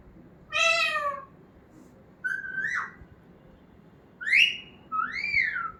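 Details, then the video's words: Pet parrot that talks, meant to help train other parrots to speak: a drawn-out nasal wail, then a wavering whistled note and two clear rising-falling whistles near the end, calm indoor setting. "Talking parrot"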